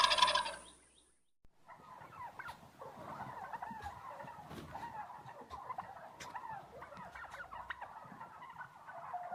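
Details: Turkey gobbling after a brief loud burst at the start: a rattling, bubbling run of rapid notes that carries on steadily at moderate volume to the end.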